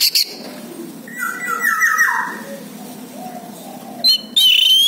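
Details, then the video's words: Orange-headed thrush lure song for a bird that has stopped singing: a brief high whistle, a soft scratchy mid-pitched warble, a quiet lull, then loud bright whistled notes at the end. "PANCINGAN ANIS MERAH MACET BUNYI"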